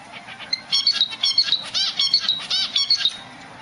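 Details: A zebra finch in its nest gives quick, nasal, toy-trumpet notes in a rapid, uneven string, calling for its mate.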